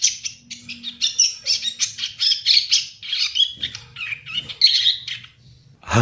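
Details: A young Ashy Tailorbird chatters in rapid, high, scratchy bursts, with brief squeaky notes running almost continuously for six seconds.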